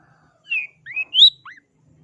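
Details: Long-tailed shrike singing in energetic gacor style: four short whistled, slurred notes, some rising and one falling, packed into about one second, with near silence before and after.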